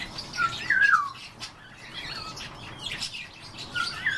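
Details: European bee-eaters calling in the morning: warbling, liquid notes that slide downward, one near the start, then softer calls later, among faint chirps and background hiss.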